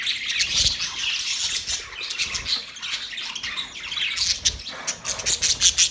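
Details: Lively parrot chirping in rapid, high, scratchy notes, ending with a run of loud separate chirps.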